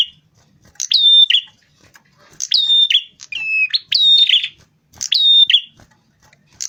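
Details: Rufous-fronted prinia song played as a bird-attracting lure: loud phrases of level high whistles with buzzy rasping edges, delivered in four bursts with irregular gaps, no other sounds.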